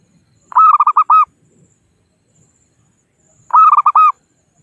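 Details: A wild local zebra dove calls its rivals, the recording serving as a lure for trapping; two ringing phrases of five to six quick coos about three seconds apart.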